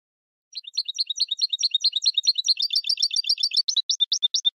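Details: Song of a European goldfinch used for training birds for song contests: a fast, continuous run of liquid twittering notes that grows brighter and ends in clipped, evenly spaced chirps, with no other sounds.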